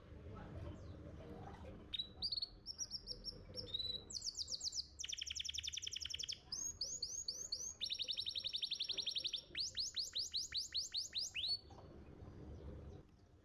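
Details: Contest-winning canary's song used to train young canaries: varied phrases of steady whistles, rapid buzzing trills and quick repeated falling notes, strung together for about ten seconds before going quiet.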